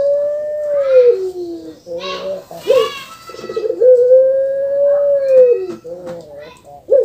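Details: Puter pelung dove in captivity giving a long, even, slightly arching coo, then short choppy notes. A second long drawn coo follows, with children's voices between the phrases.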